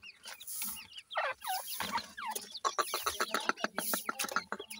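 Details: Grey francolin chicks, known locally as dakhni or Irani bhura teetar, kept in breeding; a busy stream of short, high, bending chirps overlapping one another, with a few lower clucks.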